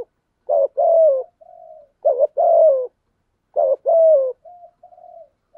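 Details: Spotted dove with several coo phrases for stimulating other doves to coo: three phrases, each a short dipping note then a sustained coo falling at the end, trailed by faint soft hums.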